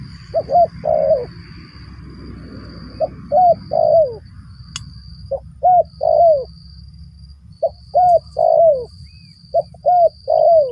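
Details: Spotted dove cooing while birds are being lured for trapping: repeated phrases of two quick, rounded notes and a longer falling coo, about every two to three seconds, with a low rumble and a faint steady high whine behind.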